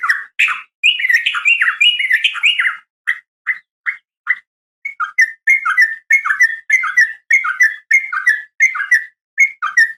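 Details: Morning calling by a female sooty-headed bulbul to attract males: a warbled, tumbling phrase, a few separate clipped notes, then a long run of bubbly, rising-and-falling chirps.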